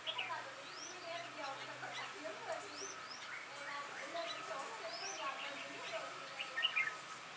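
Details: Red-whiskered bulbuls in a singing contest against an old decoy bird: short, faint chirped and rising whistled notes scattered through the phrase, some sweeping upward, over a low steady background hum.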